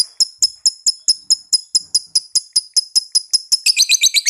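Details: Lovebird calling in reply with a long 'ngekek' run: sharp high notes repeat about every quarter second, steady and metallic, then speed up into a dense chatter at the end.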